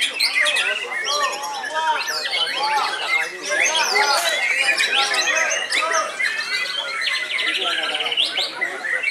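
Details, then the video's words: Oldest white-rumped shama still active, a caged bird hung up to sing, pouring out a loud, varied song of rising and falling whistled sweeps, quick trills and harsh chattering notes with scarcely a pause. "BURUNG MURAI TERTUA YANG MASIH AKTIF GANTANG"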